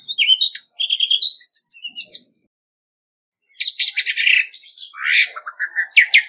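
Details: Orange-headed thrush, a lure bird, in competitive singing with no background noise: rich, varied whistled and warbled phrases with quick trills and rising and falling notes, a silent pause of about a second midway, then buzzier, harsher phrases.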